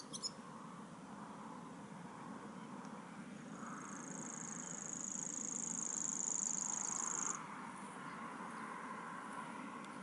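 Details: Common grasshopper warbler at Waverhoek giving a sustained, very high mechanical reel lasting about four seconds before stopping abruptly, with a constant low rumble of distant traffic or wind underneath.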